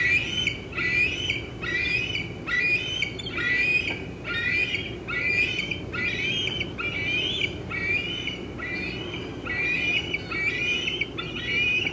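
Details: Young bald eagle squeeing at a nest on 25 June 2013 around 4:45 pm while an adult eats a fish in an old tree: shrill, wavering high squeals repeated about once a second over steady low background hiss.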